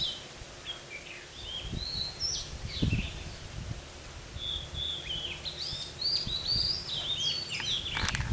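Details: Red-whiskered bulbul used as a decoy while trapping wild birds: bright whistled warbling phrases, rising and falling, given in short bursts through the recording, over steady outdoor background noise with occasional low thumps and a sharp click near the end.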